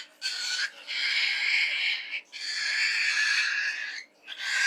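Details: Falk bird with an odd pig-like singing voice: a series of grating, noisy, squealing bursts, some short and some lasting over a second, broken by brief pauses.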